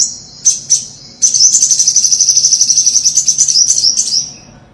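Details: Olive-backed sunbird, the five-coloured sunbird of Vietnamese bird keepers, singing for use as a trapping lure: two brief high chirps, then a long, fast, shimmering high-pitched trill running about three seconds before fading.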